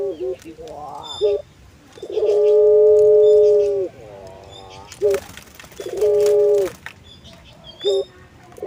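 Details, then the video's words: Puter pelung collared dove, kept as an ornamental songbird, delivering rising warbled notes, then a long sustained coo, a rippling run of short notes, clipped calls and a second shorter drawn coo; faint background noises. "Keunikan Burung Puter Pelung – Suara Merdu & Karakter yang Istimewa"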